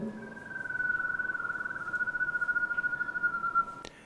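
A canary holds a steady, mid-pitched trill for more than three seconds, its rapid pulses growing stronger toward the end, over faint room hiss.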